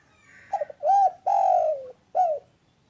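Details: A spotted dove's full cooing phrase: a faint double pickup note, then a bright arched coo, a long sustained coo falling slowly in pitch, and a short closing coo, clear and close.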